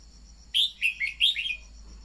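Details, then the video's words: Red-whiskered bulbul decoy song for prompting newly caught bulbuls to sing. One lively phrase of five loud, liquid whistled notes, bouncing up and down in pitch, over a faint high insect whine. "Luyện giọng chào mào mồi-kích bổi mau hót"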